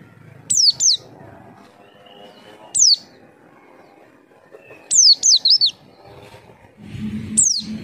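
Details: Javan white-eye lure call for prompting birds to answer: high falling whistles in pairs and a fast run of three wavering notes, with a low hum rising near the end.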